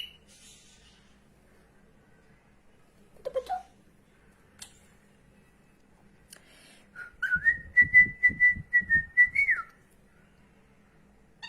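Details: Pet female cockatiel that flies after her owner around the house: a mostly quiet room, a brief scrape, then a level piercing whistle of roughly two seconds ending in a sharp rise and drop, over rapid soft tapping.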